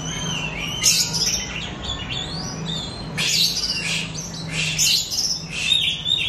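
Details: Oriental magpie-robin (kacer) song used as a lure recording to encourage young pet birds learning to sing: sharp high whistled notes and rising slurs mixed with harsh buzzy chatter, bursts clustered near the start and again after three seconds, with a low steady hum underneath.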